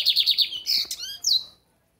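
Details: Lined seedeater, Brazilian bigodinho, singing the American song type: four quick high whistled double notes, then buzzy slurred phrases and a final sharp downslurred whistle, ending in silence.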